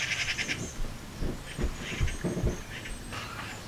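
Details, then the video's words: Quarrelling magpies near a garden nest give a fast, dry rattle at the start, then scattered harsh calls, with low thumping knocks and rustling beneath. "MAGPIE NEST FIGHT"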